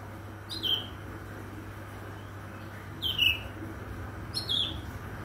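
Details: Morning song of an Oriental magpie-robin: three brief whistled phrases, each a quick high flick dropping to a clear note, spaced roughly two seconds apart against a constant low droning hum.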